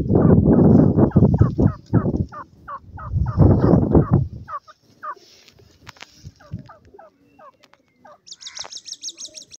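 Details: Francolin (teetar) with its methi boli call: quick upswept whistled notes in rapid runs, first over heavy low rumbling noise, then clearer and sparser, ending with a higher buzzy harmonic burst.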